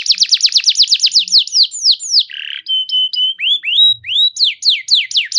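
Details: Canary song for luring other canaries into singing: quick repeated downward sweeps, a short buzzy patch, steady flat whistles, then rising and falling whistled notes.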